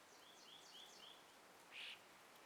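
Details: Morning sunrise birdsong in trees with a gentle breeze: a quick run of four soft, slurred high notes, then one louder, fuller chirp, over a soft airy background.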